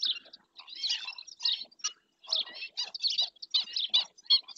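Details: Recorded by a camera in Spain's Doñana National Park, a black-winged stilt utters rapid, grating yelps in uneven runs, roughly eighty notes a minute, broken by one clear pause.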